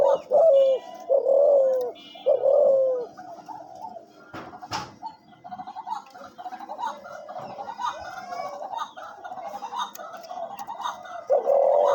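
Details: Deep repeated coos from a caged hunting dove said to call on seeing wild birds. Three clear falling-ended notes open the recording, then a sharp knock and softer, broken cooing before a final strong coo.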